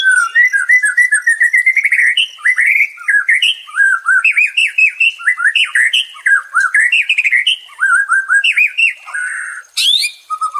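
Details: White-rumped shama song offered as therapy for stressed captive shamas: a long, continuous stream of rich, varied whistled phrases, rising and falling slurs repeated in quick bursts, with a brief harsh note near the end.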